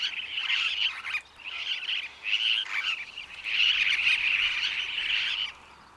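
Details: Superb parrot (Polytelis swainsonii) calling in harsh, warbly screeches. Several short bursts lead into a long sustained chattering run, then stop abruptly near the end.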